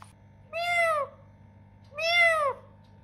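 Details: Talking parrot giving two drawn-out meow imitations, each about half a second, harmonic and slightly falling, separated by a pause, with a steady low hum indoors.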